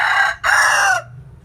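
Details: A rural rooster crows in the morning, a short, loud, hoarse call broken into two bursts with a brief gap between them, trailing off with a slightly falling pitch.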